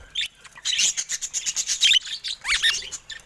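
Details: Caged budgerigars near a camera. A short stretch of dense, raspy high warbling, with rapid pulsed chirps and a couple of clearer whistled notes toward the end.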